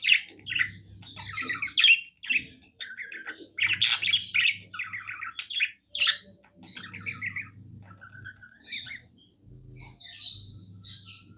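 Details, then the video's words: Contented pet budgie singing a varied warble of scratchy chirps, squeaks and a short whistled note, in uneven phrases with short gaps, low hum behind. "Happy budgie singing"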